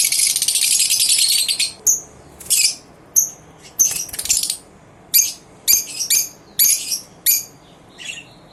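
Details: Lovebirds sing together at dawn, 19 November 2023. A continuous raspy, high chatter gives way to a series of separate shrill squeaks and chirps, spaced roughly every half second.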